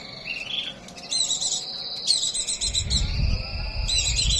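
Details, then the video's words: White-eye in breeding condition singing a continuous high, twittering warble with sustained whistled phrases and quick trills, over steady background noise and a low rumble in the second half. "pleci birahi"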